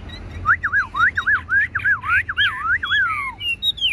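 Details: Tame caged Chinese hwamei singing loud, clear whistled phrases that loop up and down in quick wavy turns, strung together almost without pause, over a low steady hum.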